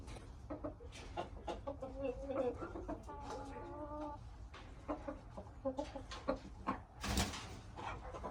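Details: Young Aseel rooster, six months of age, with a wavering harmonic crow lasting around two seconds midway, surrounded by sharp clicks, tapping noises and a loud rustling burst.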